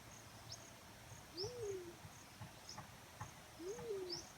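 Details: Black-chinned fruit dove giving two low, hooting coos about two seconds apart, each rising briefly then sliding down and fading, with faint high chirps from other birds and a steady low hum behind.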